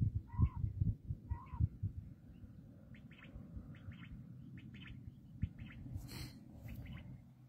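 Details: Black francolin (kala teetar): two strong harsh notes open, followed by fainter, thinner clipped calls, with a brief high hiss midway and constant low rumbling noise throughout.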